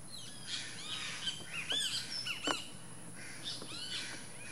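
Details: Least grebe at its nest: a series of short, bright, arched chirping notes, some sliding down in pitch, with a few louder squeaky notes near the middle, over a faint steady background hiss.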